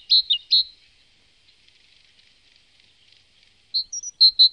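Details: Great tit (Parus major) song: short, bright high notes, a quick pair, then a pause with faint background hiss, then a rapid run of four or five ringing notes.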